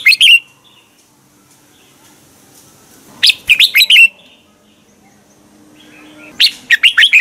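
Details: Morning song of a red-whiskered bulbul, used to train and stir other bulbuls into full song: three brisk phrases of sharp, bright whistles with rolling, downward-sliding notes, separated by quiet pauses with faint background hum.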